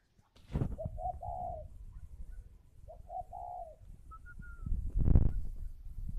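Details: Caged spotted dove cooing while incubating at a farm in Ba Vì, Hanoi, Vietnam; two clear low coos, each of short notes rising into a long final note, over steady low rumble, with a brief higher whistle after.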